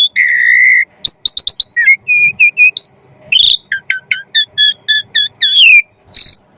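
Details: Caged white-rumped shama (kacer) singing Javan pied starling (jalak suren) material as a training master: loud, varied phrases of clear whistles, a sustained note, rapid stuttered high notes and repeated two-note figures, very clean and close.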